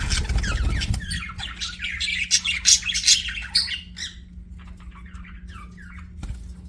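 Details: Budgerigar chirping: a lively run of scratchy warbles and sharp chirps that grows busy, then fades into sparse soft twitters, with a low hum throughout.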